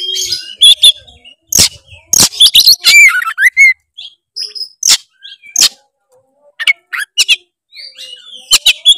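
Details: Oriental magpie-robin song to get a lazy bird singing: loud scratchy bursts and whistled runs early, then sparser sharp notes and short whistles with gaps.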